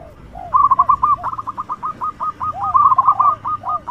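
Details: Local zebra dove with a strong voice, kept as a lure for other doves: a steady, rapid series of short, clipped coos lasting several seconds, a fainter lower cooing behind.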